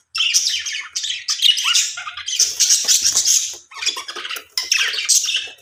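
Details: Several aviary budgerigars keep up a busy, high-pitched chatter of squeaks, chirps and harsh squawks, with brief gaps between phrases.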